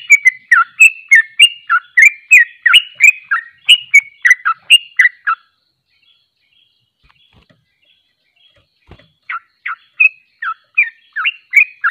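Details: Sooty-headed bulbul, called trucuk, delivering a quick ropelan burst of whistled, slurred notes. The song stops for about four seconds of near silence with one faint click, then resumes at the same rapid pace.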